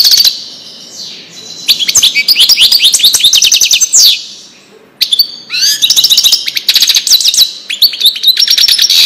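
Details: European goldfinch song in the Wedani style, played to tutor young goldfinches: rapid bursts of bright, tinkling twitters and buzzy trills, with a pause near the middle before the dense, chattering phrases resume until the end.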